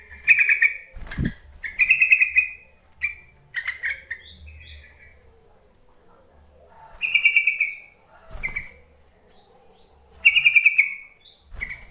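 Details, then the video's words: Yellow-vented bulbul call used to lure other bulbuls into singing: repeated bubbly, trilling chirp phrases separated by pauses of a few seconds, with occasional sharp knocks. "Suara panggilan trucuk untuk memancing trucukan bahan ombyokan malas bunyi"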